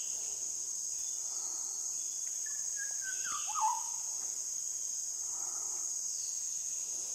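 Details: South Andaman recording of an Andaman shama giving one sweet whistled phrase that drops in pitch and twists into a short warble midway through, set against persistent loud insect buzzing.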